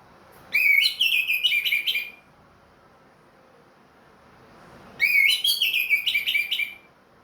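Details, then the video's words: Orange-headed thrush, a ringed bird kept by a hobbyist, singing again after finishing its moult: two loud bursts of clear whistled and warbled phrases, each about one and a half seconds, separated by a quiet pause. "MERANGSANG ANIS MERAH BUNYI PLONG"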